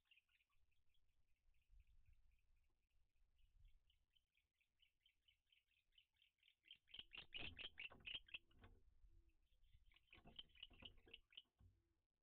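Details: Barn owl pair at their nest, the male eager to mate as an intruding barn owl sits on the roof. A long run of quick, thin twittering notes, then louder harsh raspy bursts with bumping and rustling.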